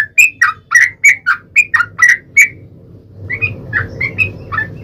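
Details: Yellow-vented bulbul lure song for drawing out other bulbuls: loud gurgling drop-note phrases for two and a half seconds, then quieter, more spaced notes over a hissing background.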